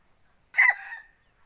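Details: Decoy rooster kept for forest hunting, selected for its crowing: one short, harsh crow of about half a second, rough and strongly harmonic, dropping into a faint trailing note, with quiet surroundings.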